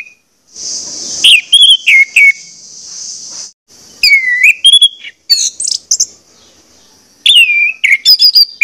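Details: Orange-headed thrush song played to prompt birds to sing; a steady buzzy high hiss runs underneath while loud whistled phrases come in three bursts of quick, looping, downslurred notes.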